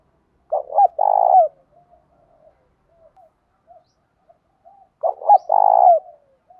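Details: Spotted dove in thổ pha đồng voice, singing a challenge song used to train decoy birds: two loud phrases, each of short clipped notes and a long steady coo, with scattered soft notes between them.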